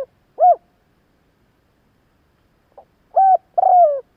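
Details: Spotted dove rousing call: a single rounded coo, silence of over two seconds, then a phrase of short pip, steady coo and drawn-out falling buzzy coo.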